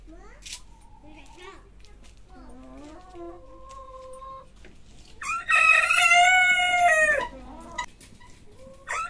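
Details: Roosters crowing in turn, small, medium and long crows: several drawn-out, harmonic cock-a-doodle-doo calls of varied length, the loudest near the end held for about two seconds, with softer crows before it.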